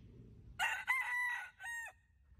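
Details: Cock-fighting rooster on a rural farm in 2020 crowing: a harsh multi-part cock-a-doodle-doo with a short opening note, a long held middle section and a falling final syllable, quite faint against low background noise.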